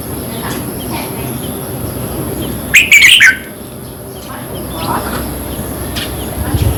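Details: Red-whiskered bulbul song played for caged birds to excite them: one brief burst of bright, warbled chirping notes midway, with a steady low background hum and faint murmurs elsewhere.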